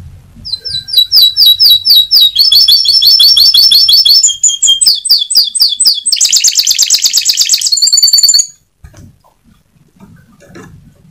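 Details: Lure song of a constantly singing canary, meant to get young birds singing fast: rapid high chips and rolling trills in quick series, a loud buzzy burst near the end, then the song stops and quiet follows.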